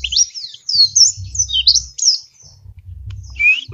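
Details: Caged white-eye from Semarang singing actively with a rich, varied song: high, quick whistled slurs and twittering phrases that rise and fall, with a brief pause before a final clear whistle. Soft low thumps are heard underneath.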